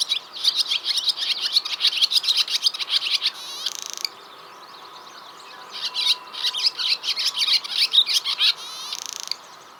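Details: Barn swallows, flying low over fields and around farm buildings on a West Sussex countryside walk, give a fast, high twittering chatter in two long bursts, each ending in a dry buzzy rattle, over a faint background hum.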